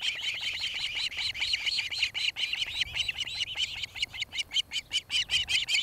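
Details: Osprey calling from its nest in Charlo, Montana, nest cam footage of 26 July 2018, 17:01–18:01; dense, slightly uneven chirping whistles repeated rapidly, growing more spaced and emphatic toward the end.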